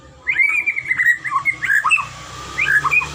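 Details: Short passage of white-rumped shama (murai batu) song from a training recording: continuous, fluid whistled phrases with swoops and trills over a steady low background hum.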